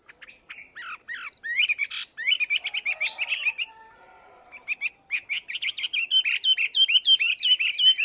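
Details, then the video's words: Chinese hwamei, a wild-caught bird caged for two months, practising its song in the morning: varied whistled phrases, then long runs of quick repeated slurred notes, with a brief pause midway and a steady high whine throughout. "Chim Hoạ Mi Mộc VIP 2 Tháng Lồng Luyện Giọng"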